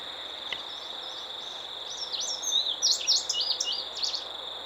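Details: Indigo Bunting singing at Manassas National Battlefield Park, a quick run of high, sweet notes, many paired, sliding up and down in frequency, over a steady shrill insect drone; it then flew off toward pine trees.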